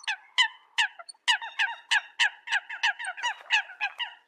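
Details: Rapid, almost continuous short nasal notes from Eurasian coots calling the flock, about three per second, with rich overtones.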